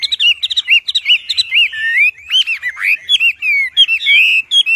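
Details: Loud Wambi song meant as a training master: clear, ringing whistled notes in quick succession, many sharply bent up and down, with short pauses between fast rippling bursts.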